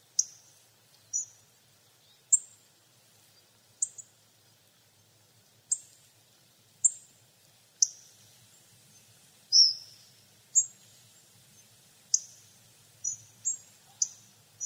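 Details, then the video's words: Hawfinch (Coccothraustes coccothraustes), a stocky finch of deciduous woods, gives sharp, very high, clipped 'tzik' notes, one every one to two seconds, quickening near the end, over faint low background rumble. "Picogordo común (Coccothraustes coccothraustes) Canto"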